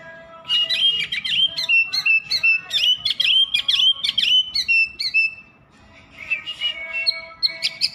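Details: Oriental magpie-robin in constant song, rapid stuttering whistled notes repeated about every quarter second for five seconds, a brief lull, then softer high whistles resume.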